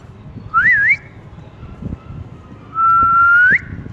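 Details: Pet ring-necked talking parrot in cool weather whistles a short wavering up-down phrase, pauses, then holds a long steady tone that sweeps upward at the end; faint background rumble.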